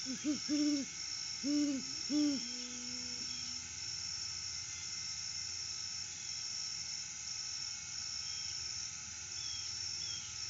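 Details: Great horned owl, a male, perched at the nest tree solo at sunrise, 6:17 AM, August 12, 2022, off-season, live cam: three deep, evenly spaced hoots, then a brief sustained low tone, followed by steady high-pitched hiss.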